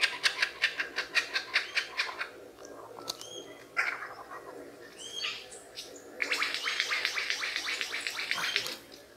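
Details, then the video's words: Lyrebird of Australian forests and gardens imitating sounds. A fast run of even, sharp pulses, about two or three per second, then scattered clicks and whistles, and a dense rattling burst that grows and fades. "Lyrebird Mimic sounds"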